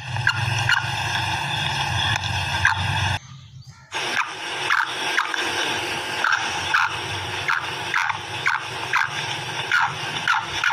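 A female black francolin gives short, harsh, repeated notes about twice a second over a steady tonal hum, after a brief pause.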